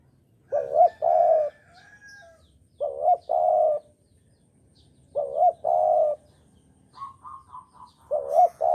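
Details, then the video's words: Lure recording of a Javan spotted dove for bird trapping: four two-part coos about 2.5 seconds apart, each a rising note then a sustained coo, with a faint stuttering call from another bird near the end. "Pancingan Derkuku Jawa"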